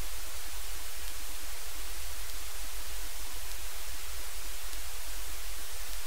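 Only steady, even static hiss fills the recording, with no calls or other distinct sounds.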